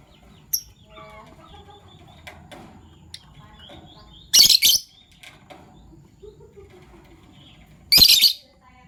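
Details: Caged Fischer's lovebirds, a violet and a gold opaline colour form, chirping in the morning: a few faint thin notes, then two loud harsh buzzy chirp bursts about three and a half seconds apart over quiet background.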